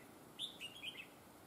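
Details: Red-whiskered bulbul at a trapping site, said to have an excellent double linked voice: a quick warbled phrase of three or four bright notes, slightly falling at the end, over low background hiss.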